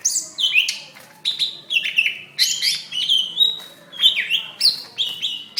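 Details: Greater green leafbird fighting call from May 2016, played to lure other leafbirds into singing for training: energetic, rapid, repeated downslurred whistles and sharp high squeaks, nearly continuous.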